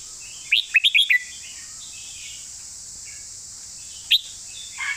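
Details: A caged red-whiskered bulbul sings a clear master-song phrase of five quick, liquid whistled notes, followed by a long pause with faint background chirps, one sharp upward whistle and a soft lower note at the close.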